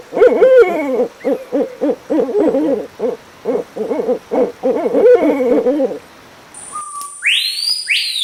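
Barred Owl giving a fast run of mid-pitched, arching hoots, about three a second, for six seconds; a brief whooshing effect follows.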